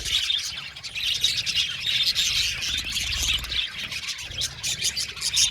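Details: About 70 pairs of budgerigars in an aviary chirp and warble in a dense chorus, with pulsing bursts of sharp notes and some low rumbling background noise.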